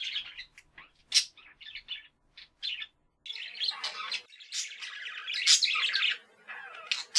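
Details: Budgerigars kept as pets give short chirps and squeaks separated by gaps, then break into a sustained busy warble of scratchy trills and high notes.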